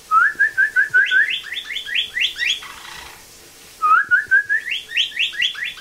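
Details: Rehabilitation blue jay imitating a northern cardinal's song: a run of short rising slurred whistles that speeds into a series of downslurred notes, a brief pause, then the same phrase repeated.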